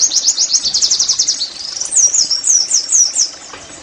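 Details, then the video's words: Caged-bird therapy song of the Oriental white-eye: an opening rapid trill of high sharp notes about six per second, followed by spaced, looping downslurred whistles. "TERAPI NEMBAK PLECI I, Agar Pleci anda cepat GACOR BOS!!"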